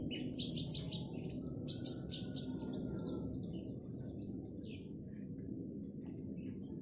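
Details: Caged Javan bush lark sunning before singing: quick sequences of thin high chirps and sliding whistled notes, some buzzy, tumbling one after another above a constant low rumbling hum.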